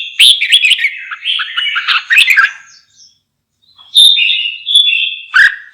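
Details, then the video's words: Red-whiskered bulbul singing a fast, jumbled chain of warbled notes, a short pause, then a sustained clear whistle sliding into chatter. "TIẾNG CHIM CHÀO MÀO"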